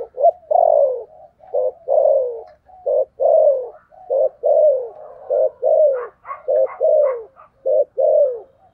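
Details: Spotted dove cooing in the deep "thổ sấm" voice style with quick "thúc gù" follow-up notes: low, hollow coos in short phrases, each ending in a falling note, repeated steadily with brief clipped notes between them.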